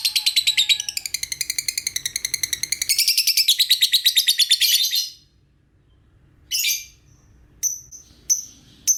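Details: Lovebird chirping used as a lure to make other lovebirds answer: about five seconds of rapid, shrill repeated notes rising and falling in a rolling chatter, then quiet broken by short, sharp single chirps.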